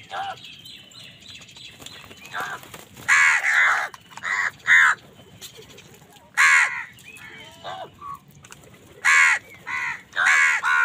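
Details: Crows in an angry food fight with other wild birds: repeated harsh caws in clustered bursts, loud series around three to five seconds, another near six and a half, and more toward the end.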